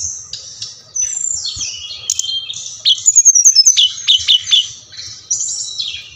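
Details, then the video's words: A Brown-chested jungle flycatcher (SRDC, Bali) sings high, thin, down-sliding whistled phrases with a quick run of sharp descending notes in the middle over a faint low rumble; used as a lure to make lazy flycatchers respond and sing. "Sikatan Rimba Dada Coklat | putar ini pasti SRDC anda ngamuk gacor dengan suara ini"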